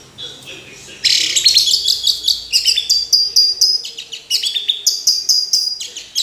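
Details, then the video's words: Orange-headed thrush in full song, a dense, continuous stream of rapid high twittering and scratchy notes delivered in quick bursts for several seconds without a break. "Anis Merah Kicau Sampai Teler"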